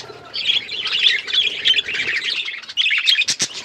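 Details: Pet budgies, hand tame, keep up a steady high warbling chatter, ending in a few loud sharp clicks and knocks.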